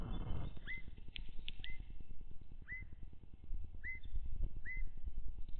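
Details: Evening grosbeaks, a flock of new feeder visitors in Wisconsin in late April, give about five short, clear, upslurred whistled notes roughly a second apart, over a steady low rumble of wind or distant noise.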